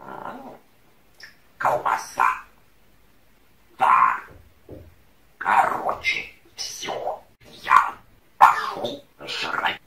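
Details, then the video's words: Foul-mouthed talking parrot chatting with its owner, speaking in short, raspy bursts of imitated human words about every second or two, trading lines with a man's voice. "попугай матершинник говорит с хозяином"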